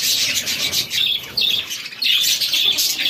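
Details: Short stretch of chicken chicks at feeding time, many sharp high peeps run together into a dense, bright twittering chorus.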